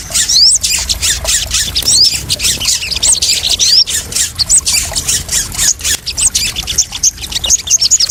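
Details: Crested jay lure call used as therapy so freshly trapped birds settle quickly and avoid stress: continuous harsh, rattling high-pitched chatter with sharp upslurred whistles roughly every one to two seconds.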